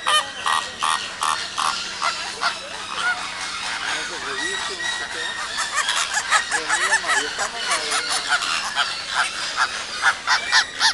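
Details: A flock of Chilean flamingos (Phoenicopterus chilensis) gives a dense, overlapping chorus of nasal, goose-like honks that carries on without pause and grows busier toward the end.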